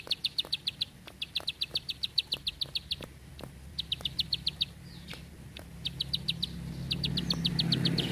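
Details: A bar-winged prinia (ciblek sawah) gives long, tight, fast, high, dry bursts of six or seven clipped notes, repeated after short pauses, over a low rumble that swells toward the end.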